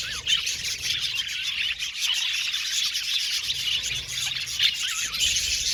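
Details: Budgerigars in an aviary colony, a dense, continuous chorus of high chattering chirps and warbles from many birds at once, with short squeaky notes standing out over a steady hiss.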